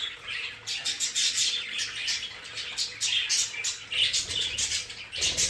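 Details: Domestic budgerigars in a decorated play area chatter continuously, with rapid high buzzy chirps and short clear notes packed together, plus light pattering sounds near the end.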